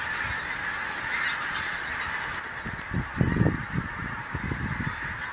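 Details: Skein of geese flying over Ormskirk Moss in the Lancashire moss-lands, arriving with the seasonal change: honks start faint, then grow into a clustered burst of overlapping calls midway, over steady wind-like background noise.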